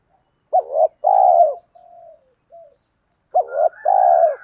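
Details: Spotted dove cooing as a lure call to provoke wild doves into cooing back; deep, hollow coos: a short clipped note and a longer drawn-out coo, faint soft notes between, then the phrase repeats, quiet background.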